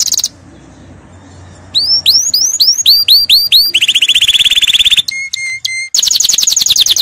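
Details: Canary song used for training: loud, varied phrases of rising whistled sweeps repeated in series, a fast buzzy trill, sharp short notes and a rapid chattering roll, all high-pitched.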